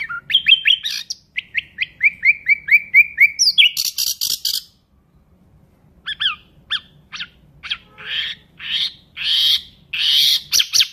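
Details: Nightingale song opening with a fast run of about a dozen repeated chirps, then harsh broadband bursts, a short silence, and a varied series of sharp chips and rasping notes.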